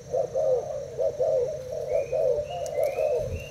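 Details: Caged spotted dove from Thailand in a cooing match with a decoy bird: rounded, throaty coo notes run together in quick succession, with a few thin high chirps from another bird near the end.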